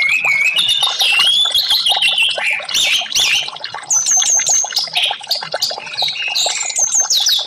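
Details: Orange-headed thrush singing in a loud, continuous, varied stream, meant to prompt quiet caged birds to sing: rising whistles open it, then a busy mix of chirps, trills and short high whistled phrases with barely a pause.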